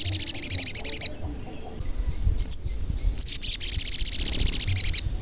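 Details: Sogon song used to lure and excite wild sogon: a fast high rattling trill for a second, a few sharp isolated notes, then another long, rapid, even trill of about two seconds.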